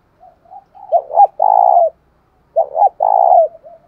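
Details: Spotted dove calling to stir up a decoy bird, in the 'thổ sấm' voice style: two cooing phrases, each two short clipped notes followed by a long, rolling, slightly falling coo, with soft low murmurs between.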